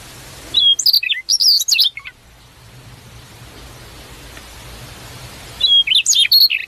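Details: Free-living prinia with a rapid jumble of sharp, high chirps and short whistles, a long hissy pause, then the lively twittering phrase starts again.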